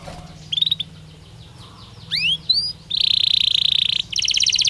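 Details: Belgian canary singing naturally: a short high trill, then quick rising whistled sweeps, followed by a long buzzy rolled trill and a rapid pulsing trill, all fairly soft against faint background hiss.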